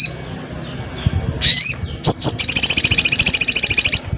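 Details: Loud crested jay calling a rival. Quiet at first, then a shrill, bending whistle and a sharp note. A long, even rattle of around twenty quick pulses follows and runs to the end.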